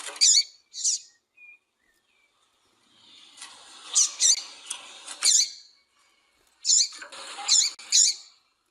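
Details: Female double-collared seedeater calls used to excite males, kept by breeders for singing contests; high, sharp chirps in short bursts and clusters with brief silences between, some notes overlapping in busier stretches.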